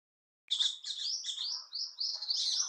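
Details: Orange-headed Thrush song: a quick, unbroken run of sweet, high, varied phrases, some chirpy and some warbled, rising and falling over two seconds.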